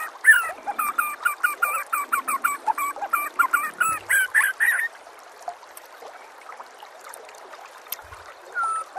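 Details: White-rumped shama master song for tutoring other birds: a fast, rhythmic series of scratchy doubled notes lasting about five seconds, followed by near quiet with a few faint calls.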